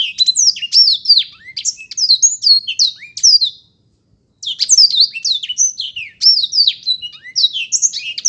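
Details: Fast, chattering song of a black-throated canary: tumbling high whistled notes with sliding pitch, delivered in two long bursts separated by a brief pause.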